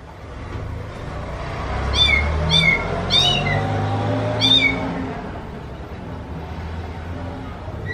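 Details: Oriental magpie-robin with a kitten-like voice: four short, bright whistled notes, each bending downward like a meow, heard over a steady low rumbling background.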